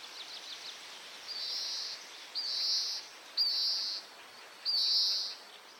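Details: Male Oriental greenfinch in spring breeding season, Hokkaido, recorded with a Nikon COOLPIX P950: four loud, nasal buzzy notes about one second apart, each preceded by short twitters, over quiet hiss.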